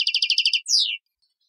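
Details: European goldfinch song: a rapid run of about eight crisp, buzzy repeated chirps, followed by one longer descending twittering note, then silence.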